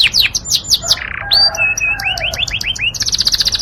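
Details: Yorkshire canary singing a tutor recording: a fast, varied canary song of rapid falling chirps, a short rattle, then a series of rising slurred whistles and a closing high, quick trill, with a faint low background hum.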